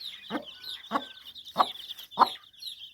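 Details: Farmyard hen with her chicks: four soft low clucks about every 0.6 seconds under a constant high cheeping of chicks.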